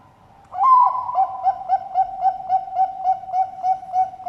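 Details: A Bangkok zebra dove (perkutut) at a bird farm in Sidoarjo, East Java, gives a soft, mellow cooing opener, then a rapid run of even, low coos, about four per second.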